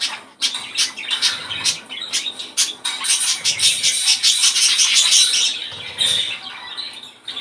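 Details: Budgerigar song meant to encourage breeding: busy, rapid chirping and scratchy warbles packed together, rising to a dense chorus midway, with brief dips between bursts.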